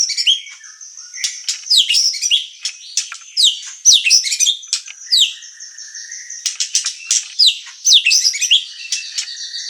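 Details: Energetic White-rumped shama (murai batu) song for stirring up and tutoring birds: separate bursts of sharp, sweeping whistles and chirps, each burst dropping in pitch, with short pauses between them over about ten seconds.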